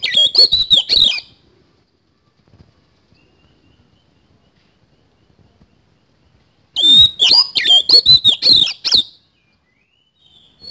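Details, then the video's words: Oriental magpie-robin singing vigorously in an 'isian kasan' style, two bursts of high, rich whistled phrases with quick trills and slurred notes, each lasting about two seconds and separated by several seconds of quiet. "BURUNG KACER GACOR ISIAN KASAN"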